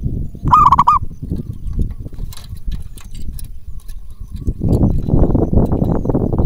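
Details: Single short rolling, trilled coo from a local zebra dove sung as a decoy to provoke other doves to respond, followed by louder low-pitched rumbling and clattering noise.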